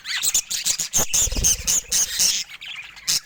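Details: Pet budgerigars of varied colours and rare mutations giving a busy run of sharp squawks and chirps, loud bursts broken by brief gaps, with a low thump or flutter around the middle.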